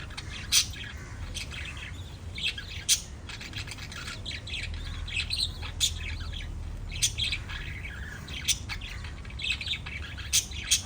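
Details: Group of five lovebirds chattering: rapid high squeaky chirps and short shrill squawks from several birds at once, bursts roughly every one to two seconds over a constant low rumble.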